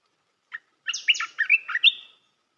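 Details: One chirp, then a lively red-whiskered bulbul phrase of steeply falling, slurred whistles and warbles lasting about a second, sung as a training song for young birds.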